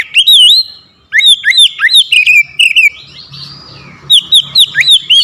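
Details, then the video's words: Oriental magpie-robin pushed into rivalry delivers a powerful song of fast, looping whistles and piercing high ticks, one brief hush after the opening notes, then dense repeated phrases with a softer drawn-out passage midway. "KICAUAN KACER POWER KERAS | MEMANCING EMOSI KACER LAWAN LANGSUNG NGOTOT BONGKAR ISIAN"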